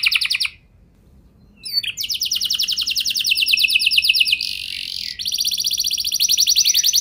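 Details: Canary singing to draw other canaries into long rolling song: a short high burst, a pause, then a long very rapid buzzy roll held steady, a brief harsh rasp, and the dense rolling trill resuming.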